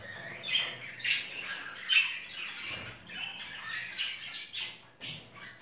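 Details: Budgerigars, Japanese and Jumbo crested, in a breeder's aviary cages; soft scattered squawks and warbling chirps from several birds in a small indoor space.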